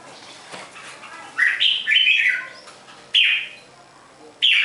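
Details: Red-whiskered bulbul giving bright, slurred phrases that rise then fall, three bursts spaced about one to one and a half seconds apart against a quiet background.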